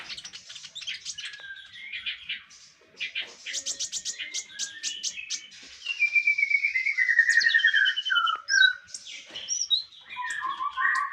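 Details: Konin training song for Indonesian songbird keepers: fast trills of high ticking notes, then long sliding whistled phrases and warbles, varied and continuous, delivered energetically for eleven seconds.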